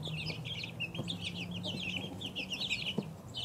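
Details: High, insistent peeps of two-week-old chicks, each a quick downward slur, crowding together, above a faint steady low tone and occasional taps.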